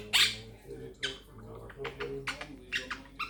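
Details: A female pet Quaker (monk) parakeet chatters in short, raspy, speech-like bursts, several harsh syllables over about three seconds with a steady low hum behind; her talking includes "peekaboo" and "making bacon pancakes".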